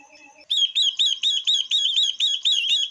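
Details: A female Chinese hwamei, used to trigger male singing and heard with a female silver-eared mesia, gives faint chatter, then a steady rapid string of about ten bright, slurred whistled notes.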